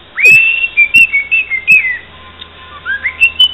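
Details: A cockatiel that says "santos campeão" and sings fragments of the Santos anthem whistles a quick, tuneful phrase of clear, high notes that slide up and down, with short pauses between bursts; faint low hum underneath.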